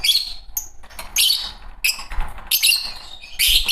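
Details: Green Fischer's lovebird pair chirping: repeated harsh, shrill chattering bursts roughly every second, with a short whistled note early on and low background rumble.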